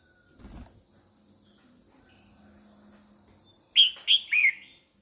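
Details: Female red-whiskered bulbul singing to stimulate males: after near silence, a short quick phrase of three loud whistled notes near the end, the first two sharp and downslurred, the last longer and wavering.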